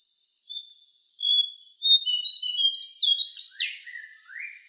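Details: Jongkangan, or Javan cochoa, for training songbirds: thin, clear, high whistles that step slowly upward, ending in a louder downward sweep and a short rising note.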